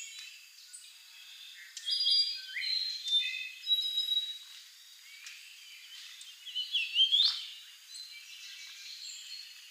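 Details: Golden-crowned warbler singing: bright, high chirps and thin whistled notes in short bursts, loudest around two and seven seconds, including a quick rising, sweeping whistle, over faint background hiss.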